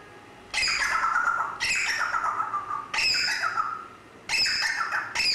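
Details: Grey parrot screeching: four long, harsh, noisy squawks, each starting abruptly and sliding slightly lower, separated by brief gaps.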